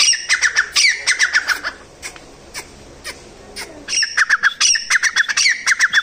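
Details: Wild grey francolin giving harsh, squawking notes in quick, rapid runs. A burst lasting over a second is followed by a quieter gap with a few scattered clicks, then a second fast series of loud, scratchy, repeated notes.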